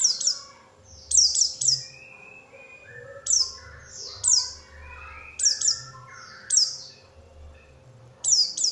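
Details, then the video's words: Oriental white-eye lure sound, played so other white-eyes respond and sing: bursts of sharp, high, downward-sweeping chirps every second or so, with softer lower warbled notes between them. "pancingan suara untuk pleci agar mau kluar isian"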